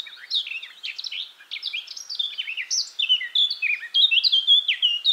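A Eurasian blackcap pours out a rapid, rich warble of varied whistled notes, high and fluting, running continuously without pause.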